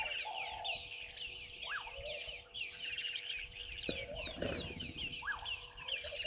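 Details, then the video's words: Red-billed buffalo weavers at Gowrie dam waterhole, Djuma Game Reserve, Sabi Sand Wildtuin, South Africa, filmed by live camera at 10:00 on 11/04/2023: dense, continuous high chattering and squeaky notes from many birds, with a brief lower rising whistle. "Red-billed Buffalo Weavers"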